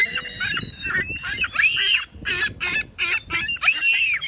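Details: Herring gulls standing close together, bowing heads toward pavement then stretching necks upward in a choking call; harsh repeated bursts with rising and falling wailing notes, several birds calling at once.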